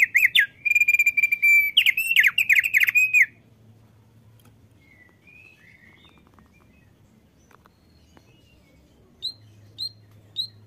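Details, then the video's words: Male Thick-billed White-eye that sings often opens with a loud stream of whistled, warbling notes for about three seconds, then near silence with a few faint distant notes and three short high chirps at the end. "OPIOR PARUH TEBAL JANTAN YANG RAJIN BUNYI"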